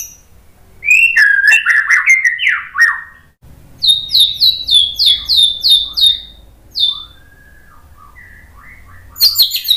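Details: White-rumped shama singing for bird training: bursts of rapid warbled notes, then a series of about ten repeated downslurred whistles, a pause with faint softer notes, and a final sharp high burst.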